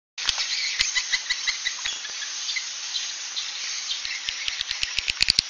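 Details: Swiftlet roosting sound of the 'suara inap' style: a dense, high, buzzy twittering wash with scattered sharp clicks that grow more frequent toward the end.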